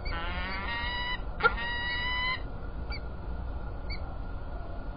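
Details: At Illkirch-Graffenstaden, France, on 3 February 2018, a peregrine falcon gives a long nasal wailing call that lasts over two seconds, interrupted by a sharp click. Faint short squeaks follow, with a constant background hum.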